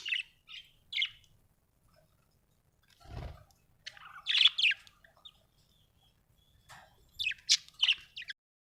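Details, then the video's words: Happy budgerigar giving short, sharp, high chirps and scratchy twitters in scattered clusters with quiet gaps between them, one brief low thud midway, otherwise a clean, quiet background. "Happy budgie chirping sound"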